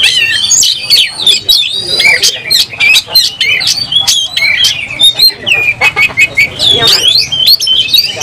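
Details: Oriental magpie-robin, agitated and spreading its tail to fight, pours out song: sharp clicks and whistled slides, scratchy chatters, bursts rising into high sweeping notes near the end.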